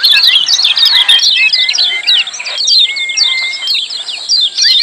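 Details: Busy 'ciak' calling of lemon-bellied white-eyes, played to coax silent birds into singing: a steady stream of sharp high twitters, with a few sustained whistles lower down.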